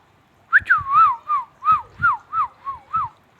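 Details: Ringneck parrot whistling a fast series of about nine looping, bending notes, each swooping down then up, in a lively repeated phrase with faint low rustling beneath.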